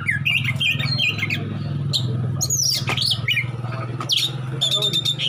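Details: Oriental magpie-robin in besetan song with rich isian: varied whistled phrases, loud rasping bursts and fast clicking trills, partly masked by a steady low rumble like traffic.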